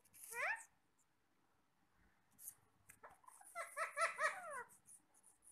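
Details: Parrots eating apple indoors: a brief rising squawk, a quiet pause with light rustling, then a string of quick warbling chirps.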